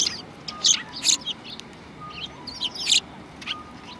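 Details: Sparrows heard on 2 January 2019, giving a handful of loud, high chirps in two short groups, each a quick two- or three-note tweet, with faint hiss behind.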